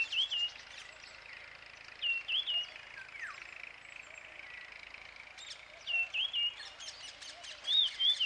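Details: Marshall's iora in Shekhawati, Rajasthan, April 2020, giving short, clear, wavering whistled phrases every couple of seconds over a steady hiss of insects and faint chirps.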